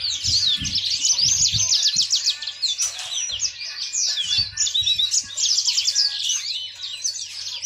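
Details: Yellow-fronted canary singing a fast, continuous warble of high twittering notes and quick down-slurred chirps, with a steady low hum and a few soft thumps underneath.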